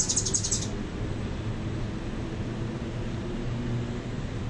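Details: A mature male Anna's hummingbird holding a feeder deck as his territory gives a quick run of thin, very high, scratchy notes in the first second, then steady low rumbling background noise.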